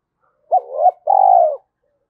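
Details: Spotted dove cooing, used to stir a decoy bird into calling quickly: a short hooked note, a brief pause, then a long, steady, slightly falling purring coo, clean and close with a quiet background.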